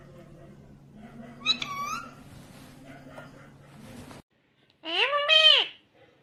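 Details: Green ringneck parrot talking: soft faint syllables over a low hum, then after a brief silence one loud, rich, arching harmonic utterance lasting about a second.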